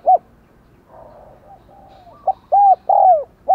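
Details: Decoy spotted dove in the 'giọng đồng còi' voice cooing to prompt other doves to call; a short coo, low murmuring, then a crisp phrase of a quick note, a level coo, a long falling coo and a clipped note.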